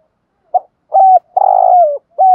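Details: Morning spotted dove lure coo for attracting wild doves: one short introductory note, a steady coo, a longer rough vibrating coo sliding downward, then a last coo cut off at the end. No background noise.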